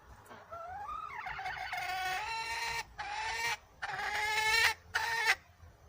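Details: Wild red junglefowl hen sounding a wavering, nasal drawn call that climbs and bends, then several longer harsh harmonic bursts separated by brief pauses.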